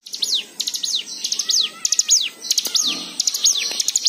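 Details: Varied white-eye song, played to coax other birds into singing: a busy stream of high twittering chirps and down-slurred whistles, with a thin lower whistled note threading through.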